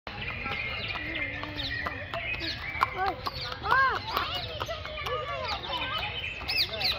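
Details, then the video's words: Several macaws chatter in overlapping squawks and arched, nasal calls, with a louder burst of rising-falling cries midway. "Macaw sounds"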